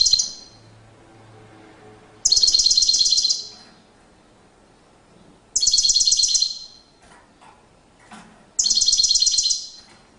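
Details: European goldfinch in courtship display, delivering short bursts of high, rapid twittering trills about one second long, repeated roughly every three seconds with quiet gaps between them.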